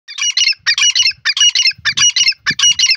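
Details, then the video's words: Grey francolin, known locally as dakhni teetar, giving loud, harsh, grating squawked phrases, five repeated bursts of several rapid notes each across three seconds, with faint low thumps underneath. "dakhni teetar awaz"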